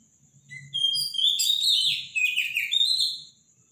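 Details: Robin in full morning song, powerful and loud, opening with a thin high note and bursting into a dense, tumbling run of sweet whistles and trills, with a soft steady hum underneath.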